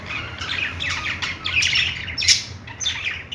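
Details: Budgerigars, kept as pets, playing and chirping: overlapping chattering warbles and short squawky notes, busy and irregular, several birds calling at once with no pause.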